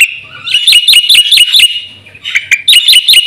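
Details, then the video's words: Black-winged myna in full fill-in song used for luring and training caged birds: two runs of sharp, high chirps repeated several times each, separated by a quiet gap of about half a second. "suara burung jalak putih gacor full isian RAJANYA pancingan dan masteran"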